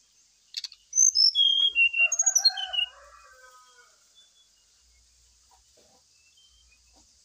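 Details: Lure song of the brown-chested jungle flycatcher, used during morning dew exposure to get a bird singing: a rich, tumbling phrase of descending whistles mixed with lower warbled notes, lasting about two seconds, then quiet with a constant high hiss.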